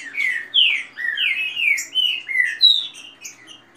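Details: Green-winged saltator in fast song, apparently in competition: a quick run of rich, slurred whistles sliding down and up, about six phrases in four seconds, over a faint low hum.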